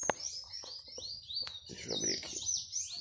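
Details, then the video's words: Cardinal singing while free, not caged: a continuous run of high, slurred whistled notes that sweep up and down with brief breaks, over faint clicks and soft indoor knocking. "Cardeal cantando solto"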